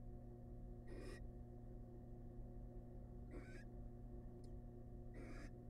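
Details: Wild barn owl family in a nest box while the male delivers a massive rat; three loud, hoarse hissing screeches spaced roughly two seconds apart, plus a faint brief tick between, over a steady background hum.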